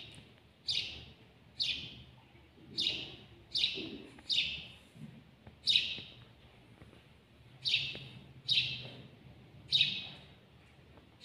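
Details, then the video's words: A house sparrow, known locally as al-jawj, recorded close up, gives a steady series of about nine loud sliding chirps roughly one second apart across eleven seconds. "تغريد جميل لطائر الدوري في اقرب صورة (الجاوج)"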